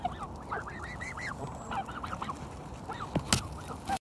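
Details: Canada geese at Kirby Muxloe castle in spring: a rapid run of arched, nasal honks in quick succession, then scattered single honks, with a couple of sharp clicks near the end over low background rumble.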